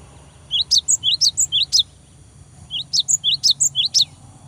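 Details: Cinereous tit in full song to stir a rival into singing: two rhythmic phrases of bright, high, two-tone notes repeated about eight times each in quick succession, separated by a short pause.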